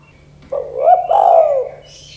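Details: Spotted dove, 'kuk 2' style calling meant to stir young doves into calling: a quick low rising note, then a long smooth coo that swells and slowly falls away, with faint chirping after.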